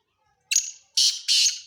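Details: Black francolin calling: a short sequence of three harsh, rasping, grating bursts, the first clipped and brief, the next two longer and scratchy, in quick succession without other sounds.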